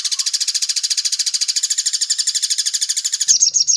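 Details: Crimson sunbird tembak cililin song used for training other birds: a steady, very fast, high-pitched buzzy trill of pulsed notes, ending in a few separate shrill chips.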